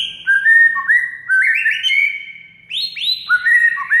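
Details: Training song of a white-rumped shama, used to get a silent shama singing: a rich run of held whistles stepping upward, a brief lull, then further bright whistled phrases with short upward slurs.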